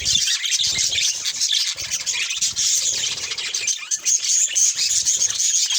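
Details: Budgerigars kept as pets fill the air with busy twittering: overlapping scratchy chirps and warbles, plus a few thin whistled notes near the end.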